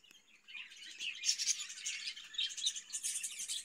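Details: Budgerigars kept in a cage give a steady, dense warble of high twittering chirps that builds after a quiet start and runs on without pause.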